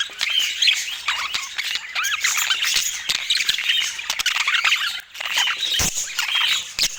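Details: A budgerigar group keeps up continuous twittering: rapid, squeaky warbled notes overlap throughout, pausing briefly about two-thirds of the way through before the busy chatter resumes.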